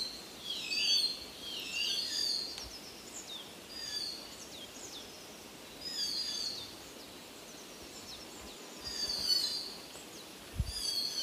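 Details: Common hill myna at Munnar giving bursts of loud, clear whistles and shrill notes, repeated every two to three seconds, over a steady background hiss.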